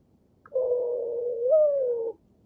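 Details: Mourning dove (Zenaida macroura) sitting in its nest in the morning gives one soft, low, hollow coo, about a second and a half, lifting slightly near the end before fading.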